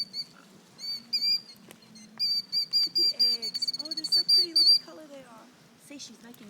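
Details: Female bird puffed up and feigning injury to draw people away from her eggs: high, shrill whistled notes in uneven bursts, speeding into a rapid run of shorter calls, then stopping; low background rumble.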